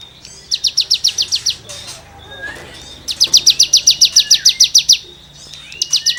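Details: Cigun song used to tutor songbirds: long fast trains of sharp, evenly repeated high chips, about a dozen per burst, with brief whistled glides in the pauses between bursts.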